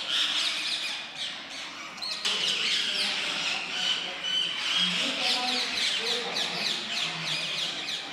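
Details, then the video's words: Male rose-ringed parakeet feeding a baby parakeet; near-continuous grating, hissy chatter of quick rasping notes, dense and rhythmic throughout, rising in intensity after two seconds. "Male Rose-ringed Parakeet feeding baby Parakeet"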